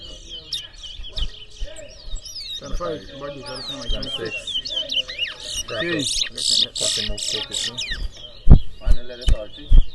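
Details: Competing twa-twa at a bird race in New Amsterdam, Berbice, Guyana, 2024; bursts of quick chirps and looping whistled notes grow busier midway, while people talk and sharp knocks sound near the end.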